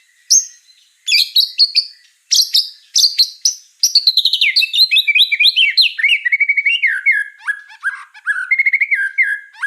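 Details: White-rumped shama (murai batu) singing in lively 'gacor' style: sharp, separated high notes with short pauses, then a dense unbroken run of rapid varied phrases that slides lower into fluid whistles and quick repeated trills. No other sounds.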